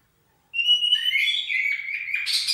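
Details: Oriental magpie-robin warming up: after a brief silence, a sustained high whistled note slides into a varied warbling stream with buzzy, harsher notes near the end.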